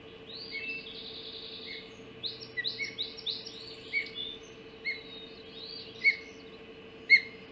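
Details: Ospreys at a nest on Hog Island during a mackerel breakfast delivery, 04:50 on 30 June 2016: thin, high, slurred chirps and whistles, irregular, about one per second, over a steady low electrical hum.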